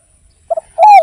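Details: Brief snatch of spotted dove song used as a lure: two quick soft pips followed by a loud, long, drawn-out coo that falls slightly at the end.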